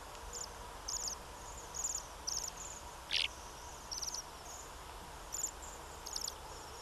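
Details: Bohemian waxwings calling repeatedly, a series of high, thin, shimmering trills roughly every half second to second, with one louder, lower buzzy note partway through over soft background noise.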